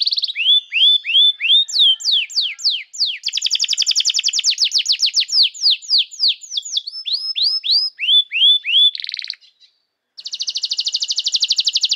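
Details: Canary; song; training young canaries to sing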